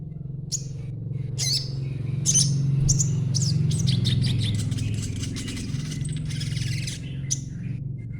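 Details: Juvenile crimson sunbird twittering, kept to draw replies from other birds; quick, thin high-pitched notes in loose bursts, about three or four a second, over a loud low droning hum.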